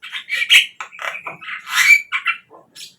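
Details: Javan myna song meant to stir captive birds into singing: a busy run of harsh squawks, rasping chatter and a few sharp whistles, ending in softer isolated notes.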